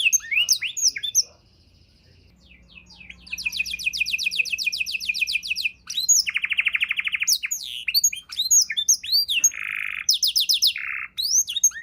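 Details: Canary tutor song for songbirds: varied slurred notes, a near-silent pause, then a long fast trill of rapid notes, a lower rolling trill, and closing phrases with short buzzy bursts.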